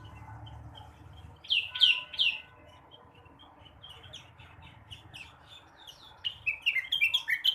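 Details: Morning song of a blue-winged leafbird, meant to stimulate untrained birds: three strong sharp chirps, a pause with soft twittering, then a rapid tumbling series of high warbled and whistled notes.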